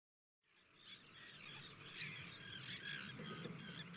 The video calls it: Желтоголовая трясогузка, голос - Сары баш жылкычы кучкач